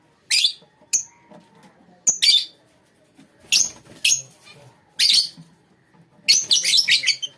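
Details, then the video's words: High, sharp chirps and scratchy squawks from a lovebird colony, spaced irregularly. The calls end in a dense, overlapping chatter of several birds. "lovebirds colony"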